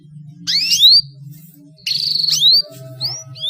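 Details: Female canary calling to get male canaries singing: two bursts of overlapping rising upsweeps, the second with a brief buzzy flutter, followed by two thin isolated upslurs, over a faint low background hum.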